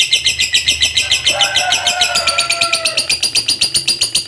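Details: Long ngekek chattering song of a contest fighter lovebird: fast, even run of scratchy high notes repeated nearly four times a second without pause, with a faint whistled tone in the background midway.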